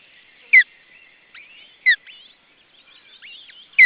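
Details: In June 2012 in Estonia, an osprey at a nest with a second chick gives three loud, clear, descending whistled calls roughly 1.5 seconds apart, with thin warbling twitters from small birds between them.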